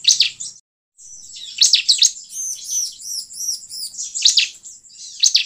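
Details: Bar-winged prinia song played to lure wild birds: a brief gap of silence, then scattered sharp high chirps over a run of bouncing, looping trilled notes, ending with more chirps.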